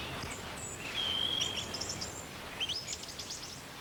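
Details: A song thrush sings a territorial repeating song in Ayrshire woodland: a high, clear whistled note, a rising note, then a quick burst of sharp phrases. It answers another song thrush in the distance, over steady outdoor background noise.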